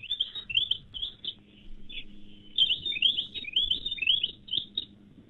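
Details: A weebill, Australia's smallest bird, a tiny yellowy-green bird about 10 cm long, gives quick runs of high, sweet, slurred chirps, bunched into bright phrases with short pauses, over a faint low hum.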